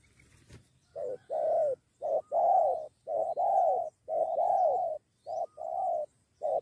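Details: Lured spotted doves close to fighting, two against one: dense run of hollow mid-pitched coos, short notes alternating with longer slurred ones almost without pause, a sharp click near the start.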